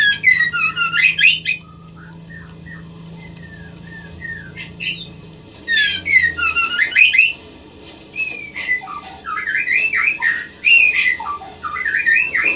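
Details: White-rumped shama song played to stimulate breeding in farmed birds: loud bursts of high, stuttering whistles separated by softer melodious phrases, with several rising and falling slurred notes between the louder bursts.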